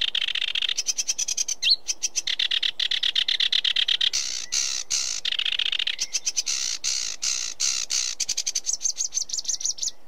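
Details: Sedge warbler in continuous chattering song, mixing rapid clicking trills with harsh buzzy churrs and abrupt shifts in pitch and tempo across ten seconds.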